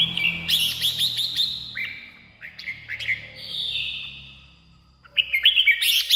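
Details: Red-whiskered bulbul song for stirring caged birds or luring wild birds: quick chattering whistles followed by longer slurred and rising notes, then another fast burst, over a low hum.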